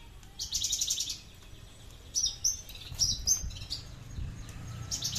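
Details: Tame captive Horsfield's bush lark (Mirafra javanica), 'aliena' type from Papua whose song lacks bass and can run about 20 minutes nonstop, singing high, scratchy bursts of chirps and trills in short phrases over low rumbling background noise.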